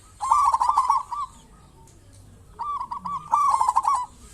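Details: Actively singing local zebra dove used as a lure: two loud rolling cooing phrases of quick stuttered notes, separated by about a second and a half of near silence.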